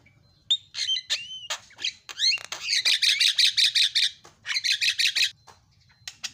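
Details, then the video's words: A starling sings a busy medley of clear slurred whistles and squeaks, then long runs of rapid, harsh buzzy notes in fast bursts, used as a lure to get silent starlings singing. "SEKALI PENCET JALAK LANGSUNG PADA CEREWET"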